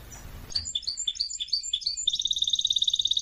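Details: Canary singing for song training: scattered high chirps at varied pitches, then a fast, very even trill of sharp repeated notes.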